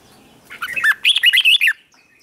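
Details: Red-whiskered bulbul morning song meant to prompt other birds into contest singing; one quick rich phrase of slurred, rising and falling whistled notes lasting about a second.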